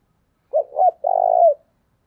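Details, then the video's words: One coo phrase from a spotted dove used as a decoy for wild doves: short mellow note, second note, then a sustained buzzy coo tailing downward. "Chim Cu Mồi Gáy Gọi Tới Bến, Bổi nghe nhanh nổi"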